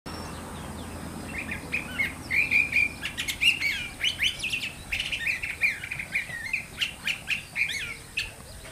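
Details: Curve-billed thrasher, locally called pitacoche or huitlacoche, singing a long run of quick varied chirps and short warbled phrases, mostly high-pitched, in steady bursts with faint low hum beneath.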